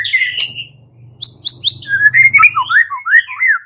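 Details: Fighting song of a white-rumped shama: rich, rapid whistled phrases that slur down and loop, delivered at a hurried pace with some high chips, over a faint low hum.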